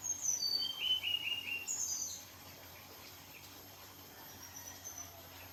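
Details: A red siskin gives a quick twittering phrase of high, thin notes that step downward in pitch, then one sharp high note, over a faint background hiss; the bird is being sunned.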